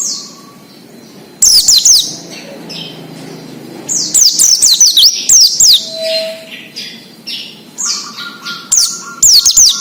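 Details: Oriental white-eye singing in the wild, used as a lure for untrained caged birds: repeated loud bursts of high, fast, downslurred whistles among softer twitters, with a faint steady tone in the background.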